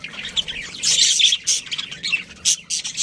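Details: Budgerigars from a breeding colony give short, loud, bright chirps and scratchy squawks in quick separate bursts, two or three each half second.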